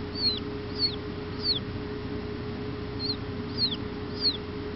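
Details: Chicken chick still inside its egg as it hatches, held in the hand: six high, thin peeps, each sliding downward, spaced about half a second to a second apart over a steady low electrical hum.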